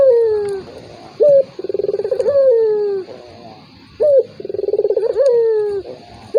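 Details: Turtle dove call set used to provoke a rival reluctant to call. Three cycles of high short note, pulsing roll, and long descending coo repeat at a steady pace.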